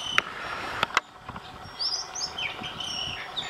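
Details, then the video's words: Oriental magpie-robin singing, recorded over several days with a new tune each day; a few sharp clicks open, then thin whistled notes, slurred rising and falling, over faint background hum. "Singing Magpie Robin - beautiful call"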